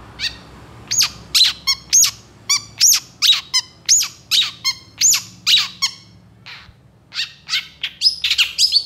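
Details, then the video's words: Long-tailed shrike in full, energetic song with long bursts: a steady series of harsh, descending squawk-like notes about twice a second, followed by a quicker jumble of chattering, scratchy phrases. "SUARA PENTET GACOR DOR EMOSI TEMBAKAN PANJANG"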